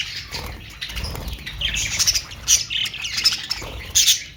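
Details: Budgerigars squawk and chirp in a busy, high-pitched jumble, with sharp louder notes near the end and faint low thumps below.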